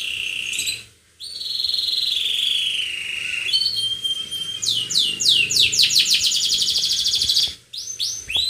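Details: Canary in full, energetic song, described as attacking: a long sustained buzzy trill sliding slowly downward, then a rapid series of repeated rising swept notes forming a dense fast trill, with one brief pause.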